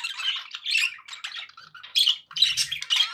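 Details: Happy budgerigar chatter at home: scratchy warbled phrases and sharp chirps, pausing briefly, then louder squawky bursts resume.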